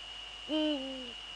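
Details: Single deep hoot of a male Eurasian eagle-owl, recorded at 17:30 on 6 February 2013 in the Netherlands. The hoot is low and drawn out, sags slightly in pitch and lasts about half a second, over a faint constant whine.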